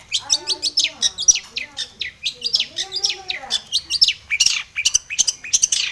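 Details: Long-tailed shrike, said to be in breeding condition, delivering a dense song full of varied phrases to provoke other shrikes into singing; fast, high, down-slurred chirps in quick succession over faint lower warbled notes.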